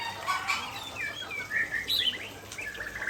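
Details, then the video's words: Near a waterfall, an Aceh white-rumped shama sings clear, looping whistled phrases, some rising sharply at the end, over a background wash of rushing water. "Murai Aceh Gacor"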